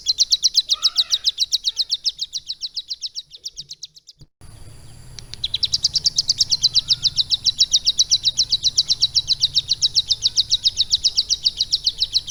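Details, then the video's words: Captive Bar-winged Prinia trained for about three months to carry lovebird song, delivering long runs of rapid high chips, a brief break near four seconds, then a steady, slightly faster high chattering stream. "CIBLEK GUNUNG GACOR ISIAN LOVE BIRD"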